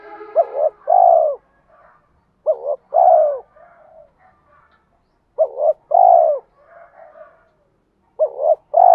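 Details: Spotted doves of both sexes calling to provoke cooing from birds in training. Repeated two-part coos, a short trembling note then a long rounded one, come at uneven intervals, with soft low chattering in the gaps.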